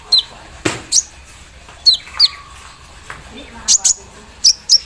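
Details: Javan sunbird in the morning dew, singing with an embroidery-machine-like filler: isolated sharp, high, falling chips in small pairs, with a brief low knock near the start.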